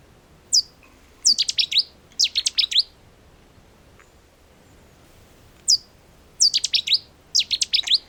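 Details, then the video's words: Cetti's warbler of reed bed wetland, a small bird with a very powerful voice; loud explosive song bursts of rapid sharp notes, two phrases, a pause of nearly three seconds, then two more bursts. "go, Chetty's warbler, quite a powerful little bird."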